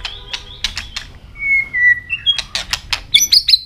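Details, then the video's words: Asian robin singing a quick, varied phrase: crisp high notes, a long thin whistle sliding slightly downward, then sharp, bright trills rising higher; robin. "Robin singing"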